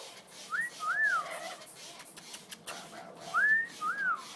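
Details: Amazon parrots, female pets, in an outdoor cage getting a shower in the California sun in February 2013. Clear whistled phrases, each a short rising note followed by an arching one, heard twice, over faint hiss of spraying water.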